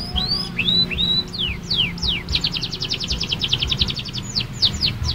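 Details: Young canary learning to sing: a run of varied whistled slurs and sharp upsweeps, then a fast, even trill of roughly fifteen repeated notes, ending with a few downslurred notes over a steady low hum.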